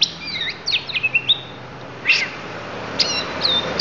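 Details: Oriental magpie-robin of the Lampung type singing its isian, the fill-in phrases: quick high whistled slurs and chips in short bursts, a rapid stutter of notes near the start, then scattered sharp upslurred whistles.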